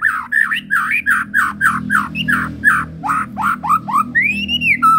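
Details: A white-rumped shama from Medan sings a steady string of repeated slurred whistles about four per second, ending in one long, high, arching whistle and a lower short note.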